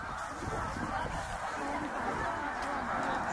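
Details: Migrating snow geese in their thousands at Middle Creek, Pennsylvania, 2023: a softer, more distant sea of honking yelps blending into a continuous hum, with low rumbling noise underneath.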